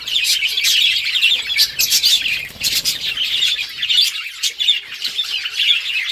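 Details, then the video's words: On October 30, 2023, budgies at play trade quick, scratchy warbles and bright chirps in a steady overlapping chorus, with faint wing flutter early on. "Budgies chirping sounds and playing with each other"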